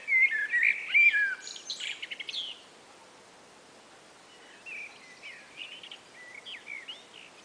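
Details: Two common blackbirds call back and forth on a spring afternoon: a loud, fluting warble in the first two and a half seconds, then a quieter, more distant answering bird with high twittery notes.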